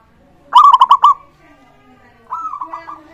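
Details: Local zebra dove song used to coax other doves into singing, two phrases: a loud rising coo breaking into rapid bubbling trilled notes, then a softer echoing phrase after a short pause.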